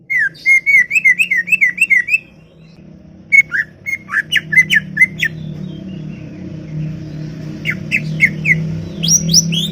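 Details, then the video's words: Chattering greater green leafbird in a garden: a fast series of wavering whistled notes, then sharp downslurred chips after a pause, and later varied rising notes over a steady low background hum. "CUCAK IJO cerewet bin bawel"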